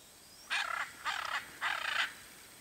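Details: Hyacinth macaw exploring riparian forest in search of food such as coconuts and seeds; three loud, grating, raspy squawks in quick succession, each about a third of a second long, over quiet background hiss.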